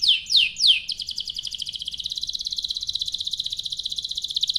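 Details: A few high downslurred notes open this canary lure song, then a long, even, very rapid rolling trill continues to the end.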